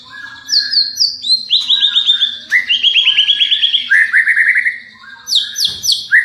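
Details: A champion white-rumped shama singing, used to provoke a response from other shamas: loud, varied whistled phrases, bright rising and falling notes and rapid trilled runs switching between high and lower pitches, continuous, with a faint low hum behind.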